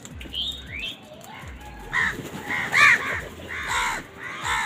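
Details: Angry crows calling as they feed: a series of grating caws builds in loudness toward the middle, preceded by a few thin chirps from smaller birds.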